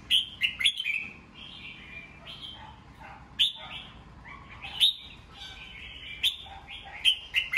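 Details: Caged red-whiskered bulbul in morning song for training and exciting young birds; a dense, continuous run of bright whistles, clipped chirps and warbled flourishes, accented by frequent sharp loud notes.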